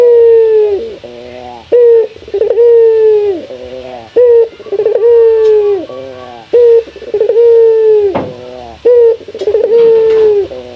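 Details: Male puter dove calling out a rival, local bird: a steady series of long, low, flat coos, each followed by quick stuttering notes, repeated about every two seconds in a rhythmic pattern.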